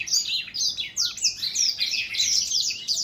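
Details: A brief burst of song from an older black-throat, recorded 2021: shrill twittering notes and sharp downward slurs run together into one continuous high jumble.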